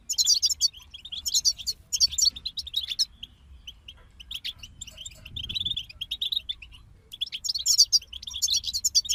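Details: Several European goldfinches singing: loud jangling twitter bursts at the start and end, with quieter scattered chirps and a soft trilled passage in between; low rumble in the background.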